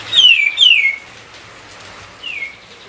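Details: White-eye whistling as bait to get other songbirds singing: two bright descending whistled notes in quick succession, then a softer downslur after a gap of over a second.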